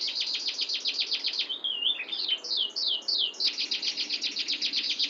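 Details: Canary giving a long, clear rolling song: continuous high, rapid trills of tightly packed notes, broken midway by a brief warbling, wavering phrase and a few descending slurs before the fast rolling resumes.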